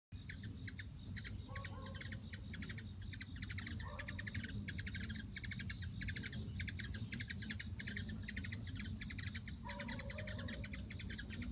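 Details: Hummingbirds chirping on 9 September 2016 give rapid, dry, high chips in near-constant bursts, with a few brief lower whistled notes over a steady low rumble.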